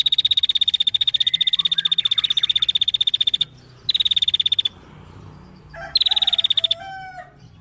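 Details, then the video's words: Female prinia calling energetically: a long, steady, very fast high-pitched ticking trill lasting over three seconds, then shorter bursts of the same; fainter lower chirps in the background. "Prenjak Betina Gacor"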